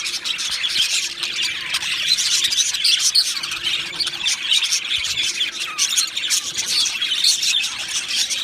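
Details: Continuous chirping from two male budgerigars: fast, high, overlapping tweets interspersed with scratchy squawks, with no quiet gaps.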